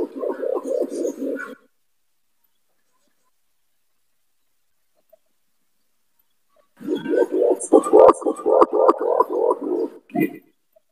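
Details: Imperial pigeon call used as a lure for trapping: deep, rapid, throbbing coos in a pulsing series, a short burst, a long pause, then a longer run of about a dozen pulses with some clicking.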